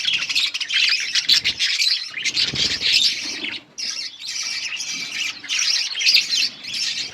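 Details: Budgerigars in a breeding setup, adults feeding chicks: dense, continuous high chirping and squawky chatter from several birds, with short pauses near the middle.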